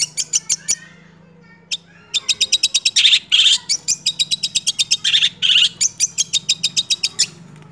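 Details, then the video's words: A six-month-old Long-tailed Shrike in fast "roll speed" song with "nembak" bursts pours out quick, high, sharp chirps, several per second, broken by louder harsh rattling bursts, over a faint low hum. "CENDET Usia 6 Bulan Berkualitas Roll Speed + Nembak"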